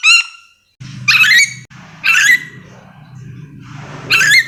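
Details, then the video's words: Sulawesi's endemic yellow-and-green lorikeet calling with rasping, scratchy screeches at irregular intervals, against a low rumbling hum. "Suara asli nuri dora memanggil"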